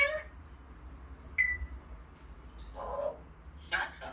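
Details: African grey parrot swearing: a short speech-like burst, then a sharp clear whistle, a murmured word and a final harsher speech-like outburst, in a quiet room.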